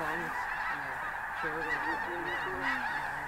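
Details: Large flock of Snow Geese at Bosque del Apache National Wildlife Refuge in mass take-off shortly before dawn on a cold December morning; dense overlapping honking and yelping from many birds, with a constant roar of wingbeats and calls beneath.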